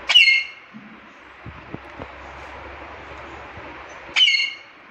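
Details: Pet parrot kept at home, likely a ringneck, giving two loud harsh squawks about four seconds apart over a steady background hum, with faint clicks between them.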